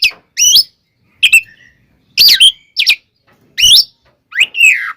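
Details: Oriental magpie-robin singing aggressively to provoke other magpie-robins, short harsh chattering phrases and warbled whistles in separate bursts about every half second to second.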